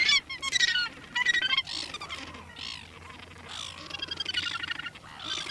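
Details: Australasian gannet in New Zealand, walking, recorded 9 December 2013: coarse, grating squawks in short uneven bursts, some with a nasal ringing tone, separated by brief quieter gaps.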